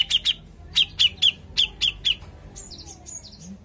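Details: Grey-cheeked bulbul (cucak jenggot) singing vigorously, used as a lure song: eight sharp high chirps in short pairs and groups, then a few thin descending whistles; quiet background.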